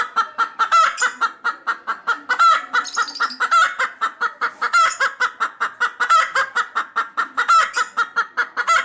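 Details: Pet chicken, featured at six months old: continuous fast, even clucking in short throaty pulses, broken now and then by a slightly longer, harsher note, with a faint higher squeak near the start.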